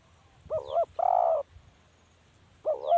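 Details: Spotted dove calling: a short double-peaked coo followed by a longer, steady, mid-pitched croo, then the next phrase begins; faint thin high notes above.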